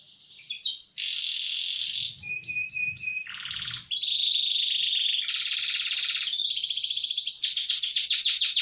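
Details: Canary training song (masteran) in speedy roll style: a loud, unbroken run of varied tours, with buzzy rolls, rapid trills and sustained high rattling phrases switching about every second over a soft low hum.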